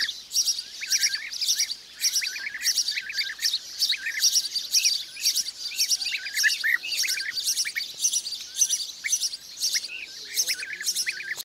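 Blue-cheeked bee-eaters trade rolling, burry 'prrip' calls nonstop, several birds overlapping in a lively flock chatter.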